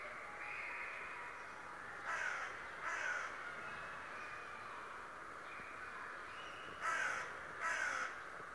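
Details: Raven described as a talking bird that spies on people daily, giving four harsh, raspy calls in two close pairs, near two and seven seconds, over a steady background hiss.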